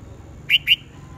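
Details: Red-whiskered bulbul in a morning singing contest: two loud, clear, slightly rising whistled notes in quick succession over a faint steady hum.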